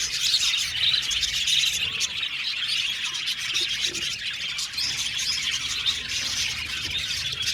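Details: Colony of about 70 pairs of budgerigars in an aviary, filling the air with a dense, continuous wash of high chirps and chattering warbles from many birds at once.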